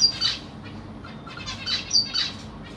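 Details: Black Cheek zebra finches kept in a cage, 25 June 2023, parents feeding six young; a few sharp, high nasal chirps, some doubled, over a quiet background.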